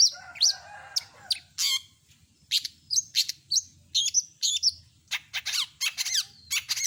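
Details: Long-tailed shrike in varied song full of mimicry, a jumble of harsh scratchy bursts, short whistled upslurs and sharp clicking notes delivered in quick irregular bursts.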